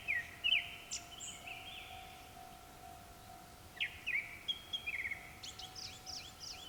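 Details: At dusk, several Japanese thrushes calling: clear whistled phrases ending in sharp high notes, repeated twice, followed by rapid thin twittering, all distant with a constant low hum.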